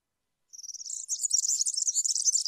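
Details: European serin song: after a brief silence, a fast, high, glittering jingle of buzzy notes starts and runs continuously to the end.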